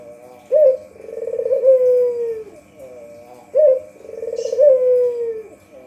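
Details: Barbary dove, a white local puter, calling as a lure for catching birds: two coos, each a short sharp note followed by a rolling, purring trill that slides gently downward, repeated about every three seconds, with a faint steady hum behind.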